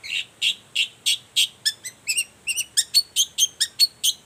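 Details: A long-tailed shrike sings hard in the morning, used to provoke other shrikes into calling: a fast series of rasping high notes, then quicker clipped chirps and thin whistled accents, about four per second.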